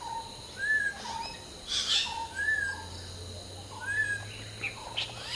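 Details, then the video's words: Hill myna during the morning chorus, preening: repeated clear arched whistles about every one and a half seconds, mixed with brief high chirps and a soft low hum. "Hill Myna Serenade: Preening, Singing, and Morning Symphony"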